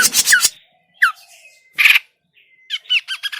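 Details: Grey-cheeked bulbul calls for use as a trapping lure, short bursts of harsh squawking and downslurred arched notes separated by pauses, closing with a quick series of nasal chevron-shaped notes.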